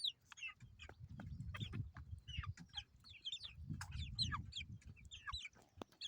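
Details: Baby chickens chirping: thin, high down-slurred peeps, scattered and overlapping from several chicks, over a low rumbling background.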